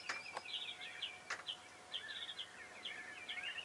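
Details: Northern lapwing recorded from a hide at Kalmthout, Belgium, giving quiet, wheezy, slurred high notes in a quick series, about two each second, with a few sharp clicks early on and a whimbrel in the background.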